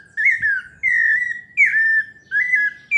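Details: Pale-breasted thrush, 'paulista' type, melodious song: clear whistled phrases near the same pitch, each dipping slightly, repeated about every 0.7 seconds with short gaps.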